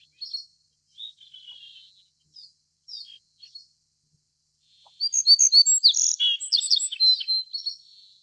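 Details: Scattered soft high notes and a thin buzz from a little bunting, then a loud, dense phrase of sharp chirps and ringing notes lasting about three seconds.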